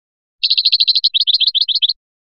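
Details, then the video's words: European goldfinch from Biskra singing 'fliyachi' style: one rapid, unbroken string of high tinkling notes lasting about a second and a half. "تغريد مقنين بسكرة الفلياشي الرائع"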